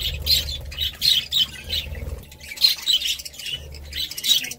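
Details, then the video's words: Budgerigar chattering in quick bursts of high, squeaky chirps and short warbles, several clusters with brief pauses between them, over a faint low hum. "Budgie Sounds"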